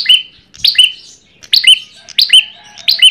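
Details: Short run of Ashy tailorbird lure song, around five shrill, bright chirp phrases at slightly uneven spacing, each dropping into a brief pure whistle.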